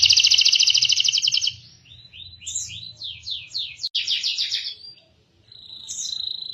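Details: Canary song for teaching young canaries and reviving silent singers: a loud buzzing trill, then quieter slurred rising notes, a burst of rolling phrases and a high steady whistle.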